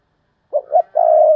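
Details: A decoy spotted dove calls to attract wild doves in 'thúc bổi' fashion. After silence, two short hollow notes lead into a long level coo that runs to the end.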